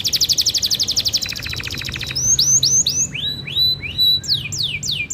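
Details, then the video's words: Canary singing in a lively gacor style: a fast rapid trill of high notes gives way to a series of sweeping downward-curving whistled phrases, each repeated several times in quick succession. "Canary Gacor goyang indah, cengkok mewah."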